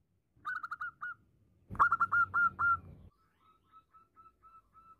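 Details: Female zebra dove calling to a male: a brief burst of quick whistled notes, then a louder sharper series with a thump at its start, fading into soft evenly spaced single notes.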